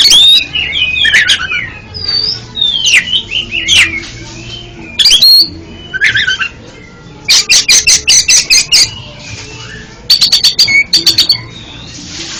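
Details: Oriental magpie-robin (kacer) singing, offered as therapy for a bird that stutters: varied looping whistled phrases and slurred notes, then repeated bursts of rapid scratchy ticking notes in several short series separated by brief pauses.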